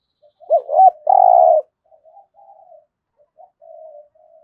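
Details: Spotted dove singing the full 'thổ'-style coo used to urge newly caught birds to call: two looped notes and a long loud rough coo, then scattered soft low coos.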